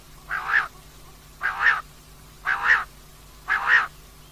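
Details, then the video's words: Four evenly spaced, coarse buzzy calls from a female common quail, each lasting under half a second and repeated about once a second, with a low hum beneath. "Rat ki liye Batair Ki Awaz , Batair Ki Awaz Rat Ki Awaz, common Quail Calling, Female Batair Ki Awaz"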